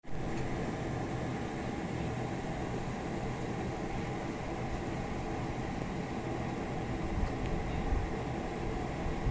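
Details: Steady low engine or vehicle rumble fills the recording, with no animal calls standing out.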